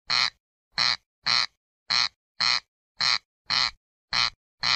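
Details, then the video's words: Harsh grating calls of a corn crake, evenly spaced rasps falling into loose pairs, nearly one per second, with no other sounds between them. "صوت مرعه الغيط Cerx cerx sound"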